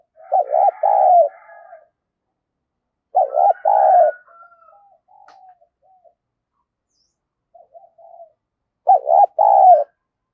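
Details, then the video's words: Spotted dove decoy calling to attract wild doves, sung in the quick "thổ thúc gù" style. Paired low coos repeat about every four seconds, with soft trailing murmurs between them and a faint whistle in the background. "Chim cu gáy mồi giọng thổ thúc gù gáy gọi kích mồi cực mạnh"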